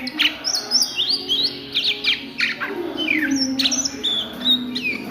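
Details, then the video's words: Oriental magpie-robin singing ngriwik at midday: sweet whistled phrases, rising slurs and quick down-sweeps, some high sustained notes, over a faint low drone. "SUARA KACER NGRIWIK DISIANG HARI"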